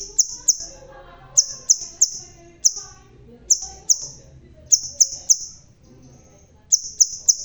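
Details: Bald but still lively red-tailed crimson sunbird sings high, piercing single and paired notes, repeated irregularly about every half second to second, each note sharp and thin, with soft background murmur.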